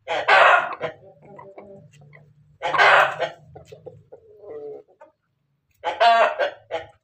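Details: Crossbred Ayam Ketawa and Pelung chicken, Banguntapan, Yogyakarta, calling before egg-laying: three loud rasping bursts about three seconds apart, soft clucks and low murmurs between them, the last burst with a ringing, banded tone.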